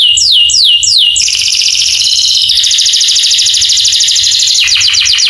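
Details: Canary training song that prompts other canaries to join in: three descending swoops, then dense high rolling trills that continue to the end.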